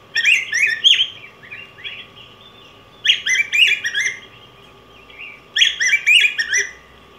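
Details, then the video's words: Yellow grosbeak (Pheucticus chrysopeplus) delivers three warbled phrases, each about a second long, made of rapid, rich, sweet whistled notes that rise and fall, separated by short pauses; a faint constant hum lies underneath. "Canto Del Pico Grueso Amarillo"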